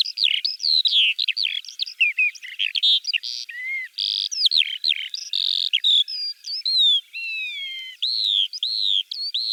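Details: Russian Eurasian skylark in full song, a fluent chatter of quick chirps and rolling trills mixed with longer clear whistled notes that slide downward toward the end.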